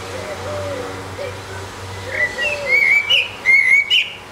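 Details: Eurasian blackbird alone on a rooftop, singing a bright fluting phrase of gliding whistles with a short high twitter at the end; soft low cooing from another bird is heard before it.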